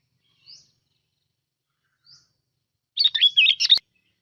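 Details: Sooty-headed bulbul used as a lure bird: two faint high upslurred notes, then a short, fast, wavering whistled warble near the end, ending in a sharp click.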